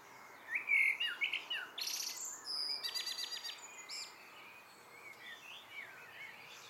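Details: Evening song of a common blackbird, opening with mellow fluted notes and ending in sharp, high, rattling twitters; soft distant phrases trail off afterwards.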